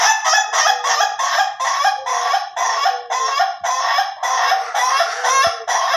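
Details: Ayam Ketawa rooster delivering a long laughing crow, a steady run of short, loud, rasping syllables repeated about twice a second without a break.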